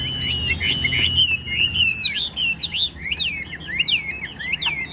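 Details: Tame Chinese hwamei singing continuously with tail spread: rapid, bright, high warbled phrases delivered in a steady stream, quick slurred whistles rising and dropping, with a faint low hum beneath.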